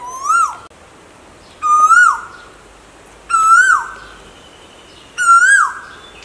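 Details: Asian koel, from a recording of male and female koels calling: four loud, clear whistled notes, each rising and swelling before dropping away, repeated about every one and a half seconds over quiet background.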